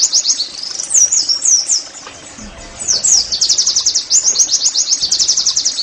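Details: Oriental white-eye singing for caged-bird therapy: quick high chirps and looping downslurred whistles, then a long run of fast, evenly spaced sharp notes forming a bright, high trill.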